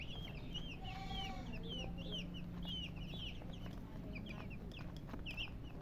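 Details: Colored chickens with a murgi hen chirp in scattered clear peeps, each a short falling whistle, sparser than a chorus, with a soft hum and low rumble underneath.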